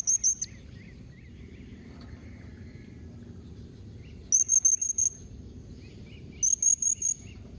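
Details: Blue-crowned hanging parrot giving a calling sound in the local style known as memanggil nembak mbeset, used to prompt other hanging parrots to answer. It gives three bursts of four very high, thin, piercing whistled notes, with faint softer chirps between them.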